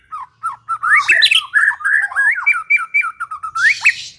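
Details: Lure recording of a white-rumped shama for trapping: loud slurred whistles, then a fast string of short repeated sweeping notes at steady pitch, ending in a harsh burst.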